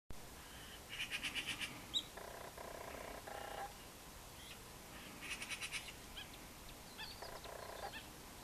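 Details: Western jackdaw searching for food gives two bursts of quick, clipped chack notes, each run of five or six calls followed by lower, harsher chattering; faint background hiss.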